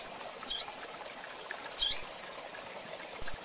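A female seedeater gives three short, high chirps, spaced about a second and a half apart, over a steady hiss of background noise.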